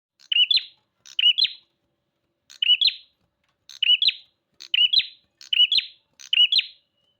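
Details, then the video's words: Bar-winged prinia, called prenjak, singing loudly: sharp buzzy phrases of a rising twist and a fanned burst, repeated about seven times with short pauses, no other sounds. "Burung prenjak gacor"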